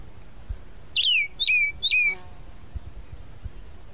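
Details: Tropical mockingbird (sabiá-da-praia) in Brazil gives three similar sharp whistled notes, each dropping steeply then trailing off, spaced about half a second apart, followed by quiet background.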